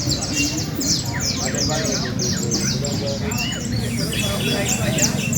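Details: Canary at a singing contest in Valledupar, La Ceiba, giving fast high falling trills over steady crowd noise and low rumble.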